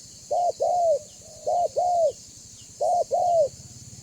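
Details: Spotted dove of the banggo type, meant to make other doves call and approach: three pairs of rounded coo notes, a short one then a longer arched one, with a soft linking note, over a low pulsing hum.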